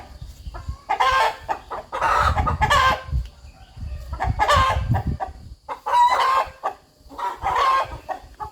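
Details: Farmyard rooster clucks in a steady, rhythmic series. Loud, rasping bursts come roughly every second or two, some with a brief rising tonal edge, over a low rumbling background.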